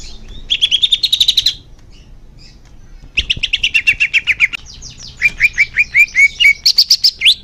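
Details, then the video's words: Song of the greater green leafbird, used to coax caged birds into singing more, delivered in long runs of quick repeated chips and trills, each run several seconds long, with a brief gap between phrases. "Suara Cucak Hijau Biar cepat gancor"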